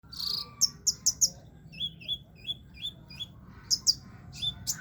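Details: Caged sunbird, known locally as kolibri ninja, singing steadily while kept low: high, thin trilled bursts alternating with short downslurred whistles, spaced irregularly over faint low background hum.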